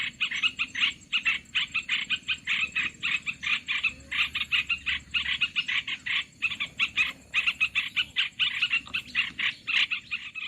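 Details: Olive-winged bulbul calls used for luring birds to traps: a fast, rasping chatter of closely packed notes running nearly without pause through the recording.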